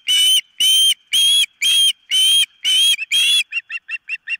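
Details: Osprey at the nest uttering seven loud, strident whistled squeals at an even pace, followed by a quick run of five short, softer chirps.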